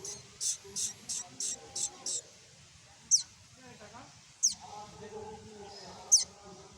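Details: Baby common tailorbird (tuntuni) calling its mother: a quick run of six short, very high chirps, then three loud, sharp, piercing notes dropping steeply in pitch, spaced over a second apart, over faint low background hum.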